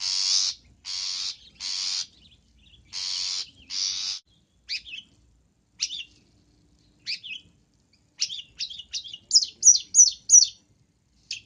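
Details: Long-tailed shrike luring sound: five loud, harsh rasping notes, then sparse short sharp chips that quicken into a rapid, high, twittering chatter near the end.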